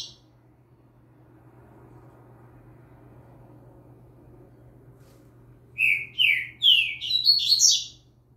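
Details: Young captive double-collared seedeater singing for training, with a green-winged saltator said to sing in the background. A long quiet stretch with steady low hum, then a burst of about six loud, sharp, rising-and-falling whistled notes in quick succession near the end.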